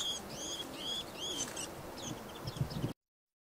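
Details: Japanese white-eyes fighting on the ground among early-blooming cherry trees at Hōkoen, Minamibōsō, Chiba, 31 January 2024, trade quick, high twittering calls, a burst of short rising chirps every half second, then scattered thin notes over a faint low rumble.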